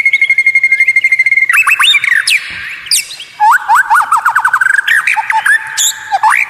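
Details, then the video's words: White-rumped shama with strange, unique song: a steady pulsing whistled tone, then tumbling varied whistles, chatter and quick repeated slurred notes. "Masteran murai batu Suara Aneh unik langka bikin lawan ngamuk sambar materi"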